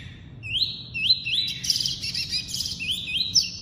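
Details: A double-collared seedeater sings the tuí-tuí song type as a song-tutoring (encarte) recording: bright, sharply rising whistles, about two a second, with a buzzier run mid-phrase, over a low hum.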